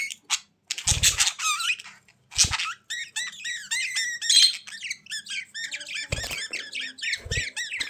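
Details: Pet budgerigars indoors pour out fast, continuous warbling chatter of looping chirps and squeaks, broken by a few low, buzzy scratching sounds.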